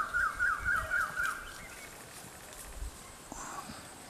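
Rufous woodpecker giving a quick series of about five nasal, wavering mid-pitched notes over just over a second, then low rumbling background noise.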